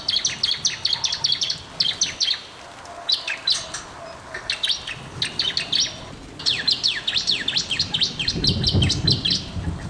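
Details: Energetic song of a bar-winged prinia, intended to prompt lazy or silent birds: fast trains of high, piercing chip notes, interrupted by brief gaps and resuming in longer rapid runs, over soft low rumbling.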